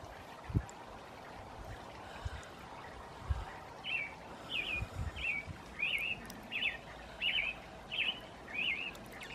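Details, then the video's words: Evening song of an American robin, described as female: after about four seconds of quiet with a few low thumps, eight clear whistled phrases follow, each a rising-and-falling carol spaced under a second apart. "American Robin (Wanderdrossel) Evening Serenade"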